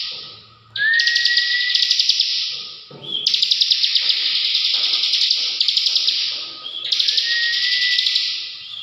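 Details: Bar-winged prinia in energetic ngebren song: three long bouts of harsh, pulsing buzz, each opened by a rising whistle, separated by brief pauses.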